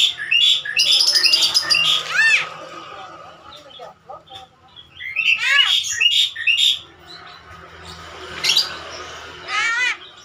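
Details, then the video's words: Javan myna known as a clever talker, giving loud bursts of rasping, voice-like harmonic squawks and high whistles in three bouts separated by short pauses. "Jalak kerbau Pinter bicara"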